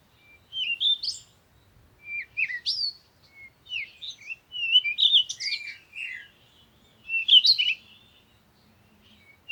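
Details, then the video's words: A songbird sings short, varied whistled and chirping phrases about every one to two seconds, some rising sharply, others trilled; no other sounds intrude. "Sound of the Birds"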